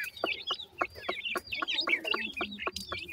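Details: Black francolin chicks in the wild, a rapid chorus of shrill peeping notes, each a short bent whistle, tumbling over one another several times a second with soft taps between.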